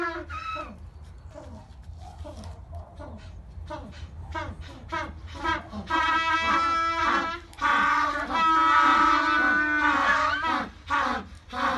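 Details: African penguins at a seabird and penguin rehabilitation centre in Mossel Bay, South Africa, in chorus: rapid short honks from several birds, then long, drawn-out donkey-like brays that rise and fall and overlap.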